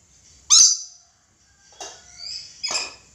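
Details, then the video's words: Red lory, a kept bird, giving three harsh, broadband screeches: one loud grating burst, then two softer, rasping notes spaced about a second apart, in a quiet indoor setting. "Suara asli nuri red lory gacor"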